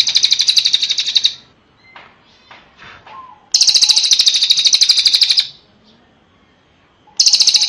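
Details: Cililin song for training songbirds: three bursts of rapid, high, buzzy trilling, each one to two seconds long, separated by quiet gaps holding a few faint chips and short whistles.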